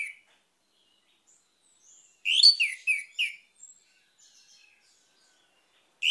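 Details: Orange-headed thrush: a burst of loud, varied whistled phrases with descending slurred notes, then a long quiet gap and one more phrase at the end.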